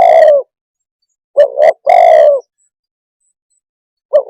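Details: Spotted dove cooing: a long, husky coo ends, then a quick double note and a long falling coo follow. The next phrase begins just as the recording ends.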